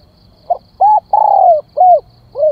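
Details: Spotted dove calling to lure birds: one complete phrase of a soft note, a coo, a long falling coo and a dropping final coo, then the first note of the next phrase.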